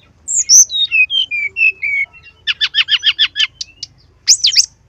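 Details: Brown-chested jungle flycatcher, a lively lure song for stirring other birds to sing: high whistled notes slide down into a series of clear falling phrases, then a fast run of buzzy chattering notes and a final sharp high burst.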